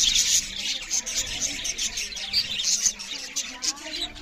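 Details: Budgerigars chirping loudly while they eat, giving a thick blend of rapid, high, buzzy twitters and squeaky notes that rises and falls without pause.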